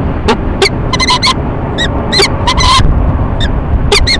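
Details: Two peregrine falcons courting at a city-building nest box in Rochester, New York, on a March 2011 morning; scattered loud, grating ee-chup notes, some in tight doublets, against a low rumbling background.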